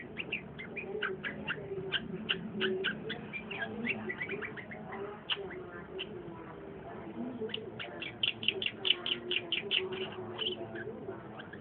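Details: Long-tailed shrike in lively song, a dense chattering stream of short, bright clicked and whistled notes given in fast bursts, with brief pauses between runs and a steady low background hum.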